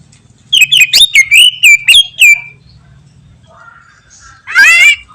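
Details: Greater green leafbird in full, energetic song: a rapid run of loud, clear whistled notes, some sliding down and some stuttered, about four per second, then a pause and a harsh, buzzy rasping phrase.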